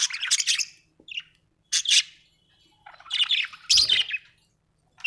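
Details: Budgerigar, described as happy, chattering in loud raspy bursts and squawks with short gaps, plus a faint bump near the end.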